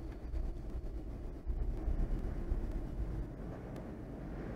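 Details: Steady low rumbling noise like distant traffic or machinery, with faint clicks and no animal calls.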